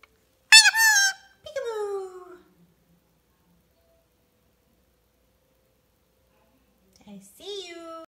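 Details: Male Indian Ringneck parakeet in the rare Green Pied colour mutation playing peekaboo before a mirror: two speech-like harmonic phrases, the second sliding downward, then several seconds of silence before a final rising-and-falling utterance.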